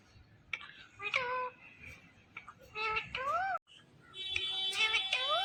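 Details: Green Indian ringneck parakeet talks in short, voice-like phrases with wavering pitch, a brief silence midway, then a busier stretch of chatter and bright tones against steady indoor background noise.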